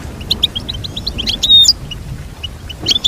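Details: Goldfinch twittering with quick, bright, chirped notes and one clear drawn-out whistle in the middle, backed by soft low noise.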